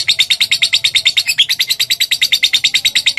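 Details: Shrill, fast-pulsed lovebird calling, used to draw an answer within five seconds, with evenly spaced high chirps repeated several times a second and a slight hum beneath.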